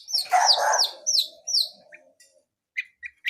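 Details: Wild blangkon long-tailed shrike in isian-filled song: several loud, sweeping downslurred whistles, a rougher lower burst beneath them, then a pause broken by a few short chips.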